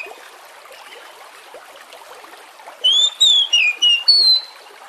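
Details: Oriental magpie-robin lure song meant to get other magpie-robins singing: after nearly three seconds of quiet background hiss, a bright phrase of five clear whistled notes, rising then dropping, is delivered in quick succession.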